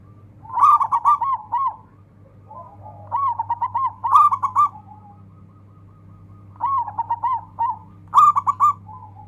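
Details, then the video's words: Local Indonesian zebra dove (perkutut lokal) singing to call a rival into song, a master recording for training quiet birds: four bubbling, quavering cooing phrases, each about a second long, separated by pauses, with softer coos between and a steady low hum. "Sekali dengar langsung NYAUT dan Ikut BUNYI rame dengan suara perkutut ini"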